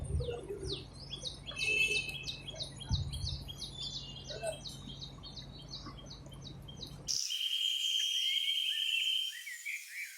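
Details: Sparrows chirping while eating: quick, sharp, high chirps repeated several times a second in a busy series, with low thumps and background noise. The sound cuts abruptly at about seven seconds to a softer stretch with a steady whistled tone.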